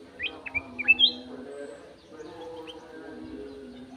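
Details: Aviary-kept golden-fronted leafbird singing clearly: a quick run of four or five bright, slurred whistles in the first second, then quiet with a faint note later, against a constant low background hum.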